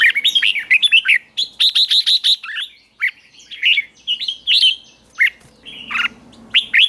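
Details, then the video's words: Red-whiskered bulbul kept in a cage, trained for morning 'ché' singing: dense bursts of sharp, chirpy and warbled notes, with a rapid series of clipped repeated notes and brief pauses throughout. "Luyện chào mào hót sáng"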